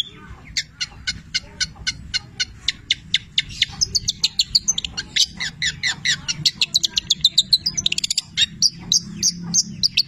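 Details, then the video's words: Long-tailed shrike singing, filled with mimicked labet and canary sounds. Crisp ticking notes speed up into a dense, rattling trill, then break into mixed high chirps near the end. "Masteran Cendet Petir gacor, Full isian mewah Labet dan kenari"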